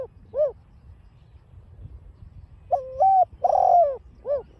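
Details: Giọng đồng pha cooing of a spotted dove, meant to get caged doves calling: a short closing note, about two seconds of quiet, then a full phrase of stepped note, long descending coo and clipped final note.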